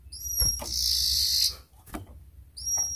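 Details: Atlantic canary lure song, used to prompt canaries to sing. Thin high whistles and a loud buzzy trill, with low thumps and handling knocks in the background.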